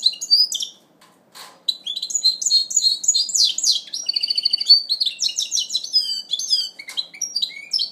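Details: A goldfinch mule in its first moult, 2012, sings a fast, bright twittering song of high tinkling notes, buzzy trills and rapid chatter, with one short break early on.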